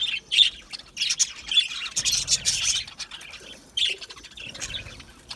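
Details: Aviary budgies giving sharp high squawks and short chirps in spaced bursts, louder at the start and fading toward the end.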